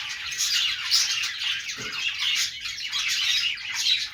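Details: Australian parrots, pet budgies, singing: steady rolling chatter of rasping warbles and high chirps with brief whistles, several birds calling at once, plus a faint low knock midway.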